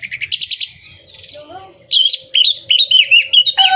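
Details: Orange-headed thrush singing, offered to spur birds that are moulting, quiet or lacking breeding drive: quick chirps, then a string of sweet, rising and falling whistled notes over a soft low hum.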